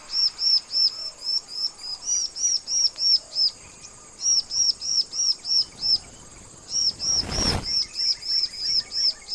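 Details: Bar-winged prinia, called ciblek or prenja, singing loudly in long, nearly continuous runs of high, ringing, arched chirps at about three per second, briefly interrupted by a short rushing burst of noise, with a faint steady high hum behind.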